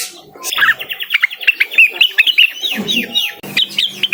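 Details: Blue-winged leafbird singing persistently to call a rival: a rapid, unbroken stream of short, sharp chirps and slurred whistles at mid-high pitch, varied in shape and lasting about three and a half seconds, with a brief low murmur partway through.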